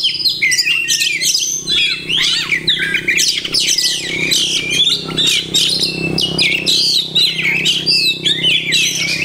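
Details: Oriental magpie-robin pouring out a continuous stream of mimicked phrases (masteran). Dense, scratchy twitters, trills and whistles without a break, with a soft low background hum.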